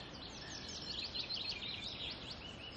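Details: Chaffinch singing from an oak tree just after dawn in late April at Barkbooth Lot nature reserve, Cumbria, during the dawn chorus: a quick run of bright notes tumbling downward to a squelchy trill flourish, over steady outdoor hiss.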